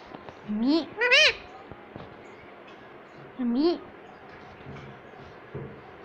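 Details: Talking ringneck parrot, kept as a pet and said to say papa and mummy, utters two rising, nasal, voice-like phrases about three seconds apart over quiet room noise. A person then says "Mommy".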